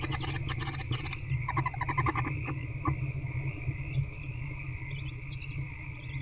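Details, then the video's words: Barn owl chicks in nest box C calling as their mother feeds them, 8 February 2024 around 9:20 pm; a dense rattling chitter for about three seconds, fading to faint quavering high notes, with a constant low hum underneath. "Hatchlings Being Fed By Mom #AvaTheBarnOwl"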